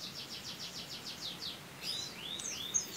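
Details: White-eye with canary-filled song delivers an even trill of about ten quick high notes, then switches to several sweeping, rising and falling whistled slurs.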